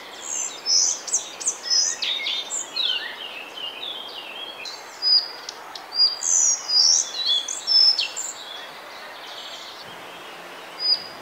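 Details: Singing male Collared Flycatcher recorded in May 2020 in Bavaria, Germany: bursts of high, thin squeaky and whistled notes in uneven phrases separated by pauses, a lone high note near the end, light background hiss.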